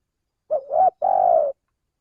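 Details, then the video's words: Spotted dove, male, used in Indonesia as a bird-luring call: a short coo sliding into a swelling second note, a pause, then a prolonged purring note that falls gently. Nothing else audible. "suara pencingan burung tekukur belajaran pikat auto langsung bunyi"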